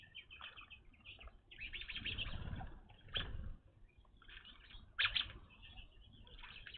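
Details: Evening grosbeaks visiting a bird feeder, newly seen at this spot: loud, sharp chirped call notes in quick bursts, strongest near the end, mixed with wing flutters and rustling at the feeder.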